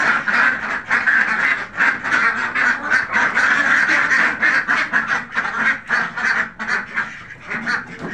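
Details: A flock of Khaki Campbell ducks on a farm gives rapid, raspy quacks, about three a second, piling over one another in a steady, noisy clamour.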